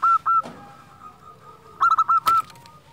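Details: Local zebra dove singing actively, played to make silent doves start singing: short ringing coos, then a quick cluster of bouncing notes, with sharp clicks and a steady background hum.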